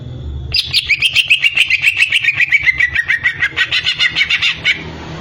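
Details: Greater green leafbird delivering a rapid, even rattle of repeated chipping notes, about four seconds long and slightly falling in pitch, against a low background hum.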